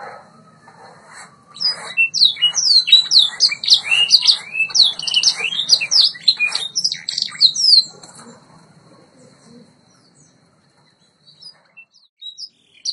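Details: White Yorkshire canary training song: after a quiet start, about six seconds of fast, high, chattering chirps and slurred notes, then fading to near silence with a few scattered faint peeps.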